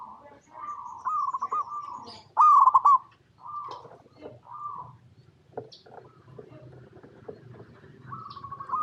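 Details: Zebra dove of local stock singing as a lure for other zebra doves: several rolling coo phrases with a loud stuttered burst near the start, then quieter scattered notes and a final coo.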